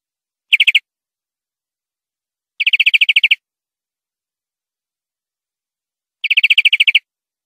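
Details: Greenfinch tutor recording for training caged birds: three brief rapid rattling trills, each under a second long, spaced two to three seconds apart in silence.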